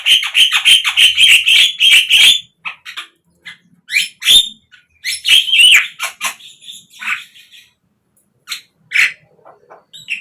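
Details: Javan myna song used as a lure for captive birds: a fast rattling burst of harsh notes opens, followed by scattered squawks, whistles and chatters with longer quiet spells.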